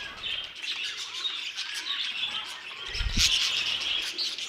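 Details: Budgerigars in an aviary chattering as a flock: dense overlapping high chirps and squawks without pause, with a brief low thump near the end.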